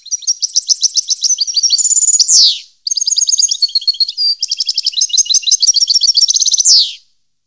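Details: Two long phrases of European goldfinch song from 2015, each a stream of quick bright twitters and fast trills with a short steady whistle, ending in a loud rasping downward sweep; a short pause separates them.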